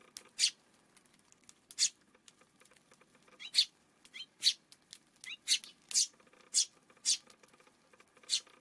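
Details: A Eurasian tree sparrow repeats bright, rasping chirps roughly every half second to a second, about a dozen in total, recorded one afternoon on June 5 with low background noise.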